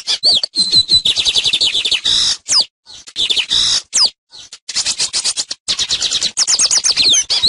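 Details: Teaching song of the lined seedeater, a wintering non-breeder east of the Eastern Cordillera: continuous high twittering, rattling trills and upslurred whistles in quick bursts separated by brief gaps.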